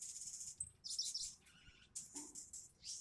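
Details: Crimson sunbird gacor konslet ngobra song: very high, hissy, rapid twittering bursts separated by short gaps, over a low background rumble, with one brief lower note near the end.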